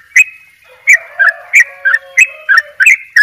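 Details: Short burst of 'dobel ropel' song from a Bali yellow-vented bulbul: crisp, clicky chirps in quick pairs after an opening note, over faint lower sustained tones.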